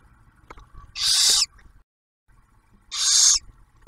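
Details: Two noisy, hissing barn owl screeches roughly two seconds apart, from a nest at Ottawa National Wildlife Refuge, Ohio, where the male delivers food and the female feeds the newly hatched owlet.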